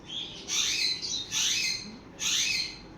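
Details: Sun conures at play repeat loud grating screeches, three in three seconds, each bursting sharply then fading.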